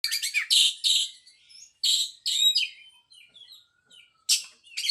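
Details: White-rumped shama singing a varied phrase of loud, rich whistled notes and rapid buzzy trills, bursts separated by short pauses, with softer twittering between.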